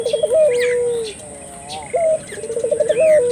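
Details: Turtle dove coo meant to spur local doves to call: a rolled quavering coo sliding into a long flat low note, then a pause and a fresh phrase beginning with a clipped rising note and trill; faint birdsong in the background.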